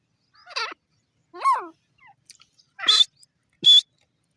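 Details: Grey francolin giving harsh, ringing call notes, two lower falling notes followed by two higher shrill notes with a sharp whistled tone, spaced about half a second to a second apart over near silence.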